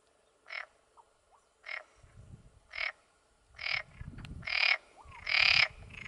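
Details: In early July on waste ground at El Lote, south of Villarrubia de los Ojos del Guadiana, Spain, a Black-bellied sandgrouse pair moves about. Six rasping, bubbling churrs come roughly every second and grow louder, over low rumbling background noise.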